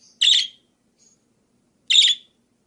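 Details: Budgerigar (parkit) voice meant for training songbirds: two harsh, buzzy chirps about 1.7 seconds apart, with brief faint high squeaks before and between them.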